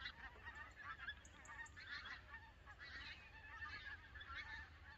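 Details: Canada geese on migration at Lambwath Lakes, Aldborough, calling as a flock: a busy, even stream of overlapping honks with little background rumble and no gaps.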